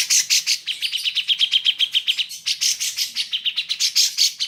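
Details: Grey-cheeked Bulbul (cucak jenggot) song used as training material for pet birds, possibly mixed with a Cream-vented Bulbul: harsh buzzy notes lead into a rapid, steady trill, followed by loud, scratchy, repeated chattering phrases.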